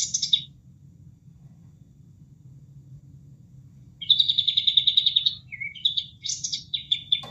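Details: Caged kapas tembak bulbul singing for training other birds: a short high burst, a pause of water sound only, then a rapid chattering run and several crisp repeated chirps.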